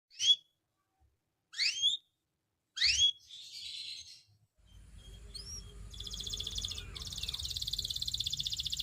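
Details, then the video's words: Canary song used for training and coaching: three short sweeping chirped phrases, a pause, then a fast buzzy rolling trill that builds and continues steadily to the end. "Make Your Canary Sing All Day Long!"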